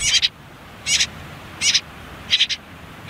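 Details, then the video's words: Four separate short harsh high bursts, each a tight doubled squeak, from common whitethroat nestlings on their last day in a reed- and nettle-hidden nest near a river. "Птенцы последний день в гнезде Славка серая, Sylvia communis"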